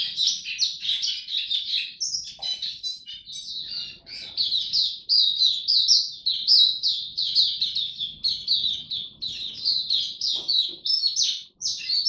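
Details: Oriental white-eye brought up to form, opening 'tiong aw' singing, recorded 3 January 2022: long, fast run of high, slurred chirps and twitters, briefly pausing near the start, then streaming on energetically.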